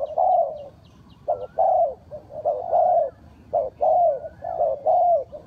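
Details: Loud, clear spotted dove lure calls for trapping, paired and tripled low coos with a stretched falling final note, repeated about once a second against a quiet background.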